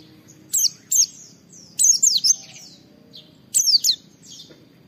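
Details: Oriental white-eye (pleci) song, played to stimulate other white-eyes to sing: sparse, short clusters of high, sharply falling whistles and chirps separated by quiet gaps of about a second.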